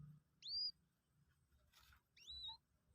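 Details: Newly hatched Common Moorhen chick, two days old and kept by hand, during a lesson to eat feed pellets; two high whistled peeps, each sweeping up then levelling off, separated by a brief rustle in quiet surroundings.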